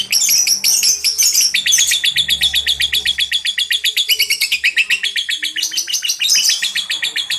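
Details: Lovebird lure song that young lovebirds under five months answer: a loud, unbroken, rapid chattering trill of shrill, buzzy notes repeated about twice a second. Brief squeaky flourishes are woven in throughout.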